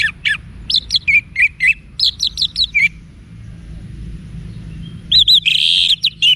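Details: Orange-headed thrush (Geokichla citrina) song, used as a sound for training kept birds: quick bursts of clear, varied whistled and chattering notes in short phrases with brief pauses, ending in a louder rich run.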